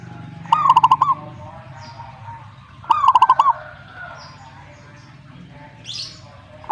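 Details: Zebra dove answering in song: two short cooing phrases, each a quick run of pulsed, rolling notes, spaced a little over two seconds apart, over a low background hum.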